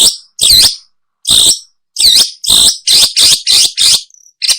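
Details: Long-tailed shrike call used as a bird lure: loud, grating, nasal notes about a third of a second long, repeated in steady series, some with a downward-swooping twang.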